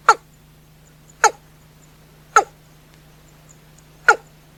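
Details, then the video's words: Watercock calling after dark with four separate dry, percussive tocks spaced a little over a second apart, backed by a continuous low-pitched hum. "Tiếng cúm núm hay Gà nhái bầu, tiếng trong dễ đánh, tiếng chim đêm"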